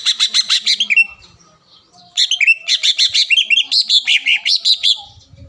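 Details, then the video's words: Lure song of a green leafbird, meant to stir an opponent into calling: bright, rapid chattering notes, then a pause and a longer lively run of varied rising and falling whistles. "PANCINGAN CUCAK IJO GACOR AGAR CUCAK IJO LAWAN SEKETIKA LANGSUNG BUNYI DAN EMOSI"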